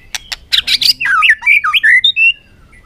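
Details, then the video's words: White-rumped shama in a contest, afternoon sun: a few harsh clicks and buzzy notes lead into a fast sequence of clear looping whistles. "chòe lửa căng lửa hót đấu siết nắng chiều"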